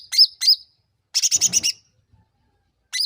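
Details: Luring sound of a sooty-headed bulbul, meant to provoke quick, persistent replies: two sharp chirps, then a rapid burst of six buzzy notes, and a final chirp after a short silence.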